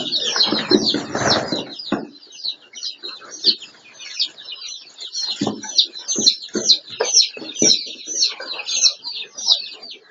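Quail chatter in a steady stream of high, thin chirps from several birds, about two a second. Loud flapping or rustling bursts open the recording.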